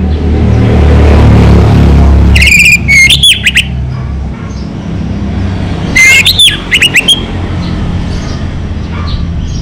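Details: Lively orange-headed thrush, locally Anis Merah, sings two clipped phrases of bright whistles and rapid chattering notes some three seconds apart, over a continuous deep rumbling hum.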